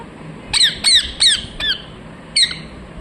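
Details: Pet parrot, said to be talking, gives a quick burst of four rasping squawks that sweep downward, then one more squawk after a short pause. The squawks are shrill and harmonic-rich.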